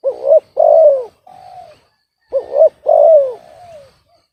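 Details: Off-key spotted dove from a bird-keeping hobby: hooked double note and long falling coo followed by a quieter flat note, the whole phrase given twice.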